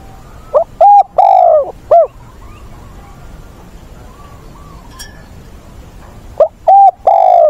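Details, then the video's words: Spotted dove used as a decoy bird for training young wild-caught doves, recorded 20 August in Vietnam: short groups of two or three hollow cooing notes, then a quiet pause, then another group; faint background noise. "Chim cu mồi giọng bổi ức chế, bổi già dìu dắt bổi lỡ, tập bổi nhanh nổi"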